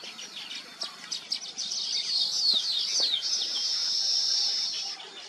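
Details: Nesting weaver birds with a quick run of rising and falling chirps building into a long, even, high buzzing trill.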